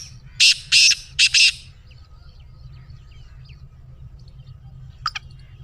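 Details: Harsh, grating call of a black francolin, meant to set off a pet francolin's calling: one quick phrase of four rasping notes in two pairs, then quiet with a faint short note near the end.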